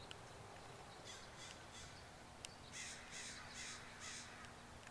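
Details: About a hundred crows arrive in waves on a grassy field in the early morning, 3 July 2014. Sparse faint calls give way to a quick run of four or five harsh, hoarse caws.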